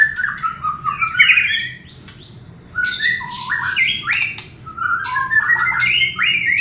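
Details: White-rumped shama song meant to stimulate a reluctant singer: varied whistled phrases with rising slurs and harsh high notes, a short pause near the middle, then resuming with rapid mixed whistles and squawks.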